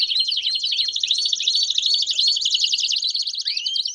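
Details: Group of Belgian canaries singing at once to prompt a canary to sing; continuous high rolling trills and warbles, short upward whistles near the end, all overlapping in a thick chorus.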